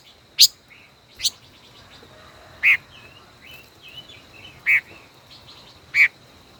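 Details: Song duel from a caged five-colored decoy bird held more than a year: loud sharp chirps spaced one to two seconds apart, with softer quick warbled twitters in between over a constant faint high-pitched hum.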